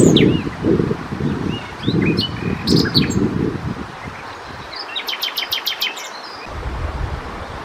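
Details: Common nightingale song at night. It starts with scattered varied whistles and chirps, then a rapid run of sharp repeated notes. Heavy low-pitched rumbling, like wind, comes in bursts underneath.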